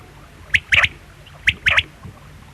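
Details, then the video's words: Quail repeating a crisp three-part phrase twice: a short high click, then a quick doubled, slightly buzzy note, about a second apart. "Quail sound|Batair ki awaz|bedana ovozi|бөдөнө үнү|перепелиный звук|بٹیر کی آواز"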